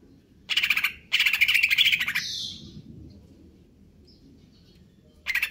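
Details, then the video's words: Greater green leafbird song in the style called konslet kejer nembak: two bursts of fast buzzy rattling notes, then a soft high whistle fading out, with a new chattering burst starting after a long silence. "cucak ijo konslet kejer nembak"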